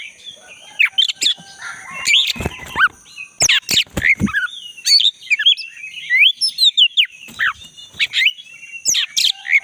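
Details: Black-breasted Oriental magpie-robin singing in the forest, played to restart song in a caged bird that has gone quiet; jumbled chirps, short whistles and sharp clicking notes, varied and irregular, over faint steady background hiss.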